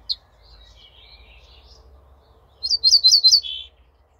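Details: Ortolan bunting singing on 28 May 2024: after a faint high note and soft warbled twitter, a clear phrase of five or six ringing, evenly repeated notes, then a lower buzzy closing note, over a low background rumble.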